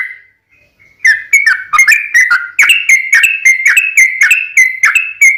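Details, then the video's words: Sooty-headed bulbul lure song, fighting style with long rapid runs: a soft whistled note, a short hush, then a lively unbroken string of loud bubbly notes, roughly three per second. "SUARA trucukan gacor RAJA PIKAT tarung ropel panjang"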